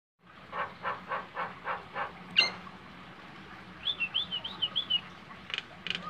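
Nias hill myna: about six harsh, rhythmic notes, a sharp click, then a run of loud, wavering whistles and two final bursts, over a faint low hum.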